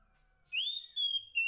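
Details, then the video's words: Female Oriental magpie-robin calling to the male, a clear rising whistle that holds steady, then two shorter whistled notes, in quiet surroundings. "Suara Kacer Poci Betina memanggil Jantan"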